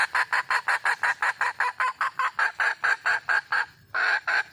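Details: Wild junglefowl hen calling to find a mate, giving a long steady string of loud, rasping clucks, roughly four per second, broken by one brief pause before resuming.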